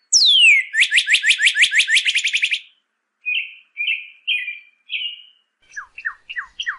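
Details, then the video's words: Song of the northern cardinal, used as a training audio for caged birds: a high descending slur, a fast run of repeated down-swept chips, then spaced whistled notes and short falling chirps. "CARDENAL ROJO: ENSEÑA A TU AVE A CANTAR CON ESTE AUDIO"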